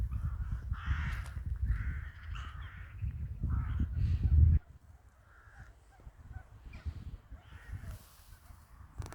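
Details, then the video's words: Crows in a wintry village give a run of harsh, rough caws in quick succession, then fainter scattered calls once a loud low rumble abruptly stops. "the sound of crows"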